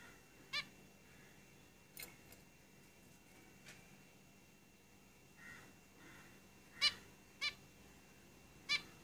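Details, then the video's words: Zebra finches kept in a cage calling with sharp, nasal beeps at irregular intervals, some isolated and a tighter cluster of three near the end, with softer calls in between; steady low hum indoors. "Zebra Finches Singing in the cage"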